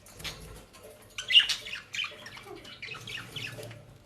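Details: Pet budgerigars in Den Haag, Netherlands, given dry leaves and grass from a bird shop. Soft, scratchy warbling chatter comes in short bursts near the start and end, with quiet gaps and faint rustling between.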